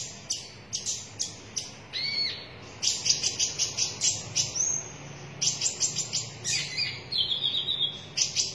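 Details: Red-breasted sunbird, locally called konin dada merah, singing actively: rapid bursts of very high, sharp chirps and thin twittering notes, delivered in quick clusters with brief pauses and a short sustained whistled phrase near the end.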